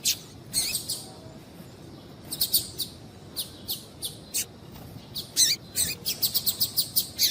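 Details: Female double-collared seedeater calling to excite males into song: frequent thin, high chips and short twittery notes, irregularly spaced, growing denser toward the end, with faint low background noise.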